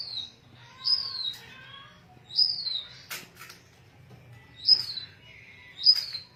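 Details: Bengalese finch calling with short, high, downslurred chirps repeated at uneven intervals of one to two seconds, soft and thin, over a faint low hum with an occasional brief clatter.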